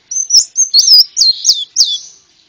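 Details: Konin bird song used as a bird-trapping lure and tutor recording: a fast run of high, clear whistled notes, each swooping up or down, in about six quick phrases over two and a half seconds, with no background noise.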